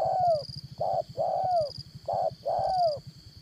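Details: Spotted dove decoy for trapping, 'Đồng Son' voice style: soft paired coos, each short note followed by a longer coo that slides downward at the end, three pairs in quick succession, with a faint insect buzz and a pulsing low hum.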